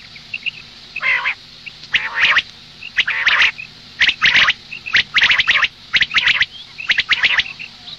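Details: Female common quail call for the morning: about one harsh, buzzy burst per second, each a dense crackling cluster, with soft high tonal pips between them and a faint steady background hum.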